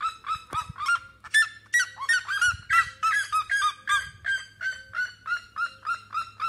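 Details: Red-legged seriema song: a loud series of harsh, yelping honks at a steady pace, about three per second, each note rising then dropping, with a few sharper cackles near the start and a faint low hum beneath.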